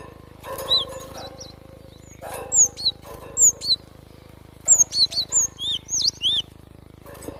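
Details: Java sparrow in natural surroundings giving bright, high chirps and slurred whistled notes in short bursts, with pauses between phrases and a low steady hum beneath.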